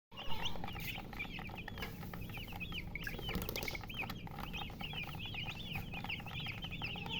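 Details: Baby chicks chirping continuously: many short high peeping notes, rising then falling, overlapping in a busy stream, with a steady low hum and scattered knocks beneath.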